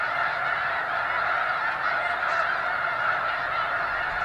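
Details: Massed honking from many thousands of snow geese at McNary National Wildlife Refuge, Washington: a continuous wall of yelping, nasal calls layered over one another with no gaps and an even level throughout.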